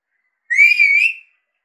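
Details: Indian Alexandrine parakeet, a talking pet parrot, whistling: one clear, steady whistle lasting under a second with a slight waver and a lift at the end, then a tiny click in a quiet room.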